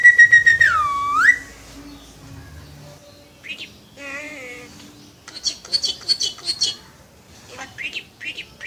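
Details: Pet jungle myna (salik) talking: a loud swooping whistle, then wavering talk-like tones, harsh buzzy chatter and short squeaky chirps, with faint voices in the background.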